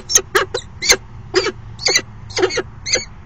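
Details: Falcon pair at a nest box during a short courtship "dance", afternoon of 29 September 2016: sharp, harsh, ringing calls repeated about eight times in three seconds, over a faint low hum.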